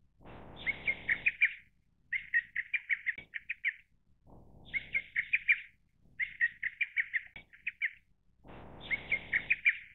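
A lesser cuckoo gives loud, rapid, shrill phrases of staccato notes, each about a second long and repeated every couple of seconds. Low rumbling bursts sound between some phrases.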